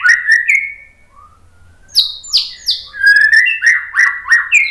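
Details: White-rumped shama lure song: clear whistled phrases, a quiet rising note, two loud high downslurred whistles, then a steady run of rich, rolling mid-pitched notes repeated about three times a second.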